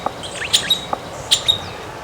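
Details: Streaked Flycatcher (Myiodynastes maculatus), a migrant already vocalizing at a farm in late afternoon, giving sharp, squeaky high chirps in two quick bursts about a second apart, with a few faint lower notes between.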